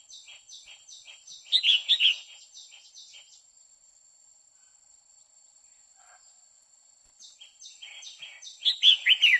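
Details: Female red-whiskered bulbul in quých kiu style, singing nonstop to arouse a male. Rapid dry ticking runs through the recording, broken by two loud phrases of three to four whistled notes near the start and end.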